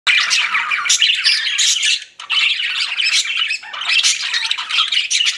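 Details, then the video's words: Pet budgerigars chirping together, a dense, busy chatter of squawky, scratchy chirps that breaks briefly near the two-second mark before resuming. "CUTE PET BUDGIES CHIRPING"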